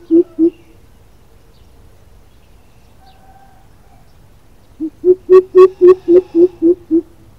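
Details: Greater coucal recorded as a calling lure: two deep hoots, a long pause, then a run of nine resonant, low, evenly spaced hoots at about four per second.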